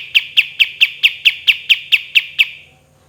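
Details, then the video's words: Pied triller in full voice, a 'tembakan' (shot) song recorded as a training recording: a quick series of about eleven sharp, clipped notes at a steady mid-high pitch, roughly four per second, ending in a fading tail; quiet background hum. "KAPAS TEMBAK GACOR SUARA DAN TEMBAKAN MEWAH"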